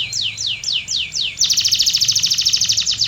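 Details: Singing canary giving five slow, loud, downward-sliding whistles, followed by a dense, high, rapid rolling trill that pulses evenly to the end.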